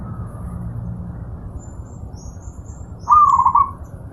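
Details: Zebra dove song from a master recording made to train pet birds: one short trilled cooing phrase, low and warbling, lasting about half a second near the end, after quiet low hum.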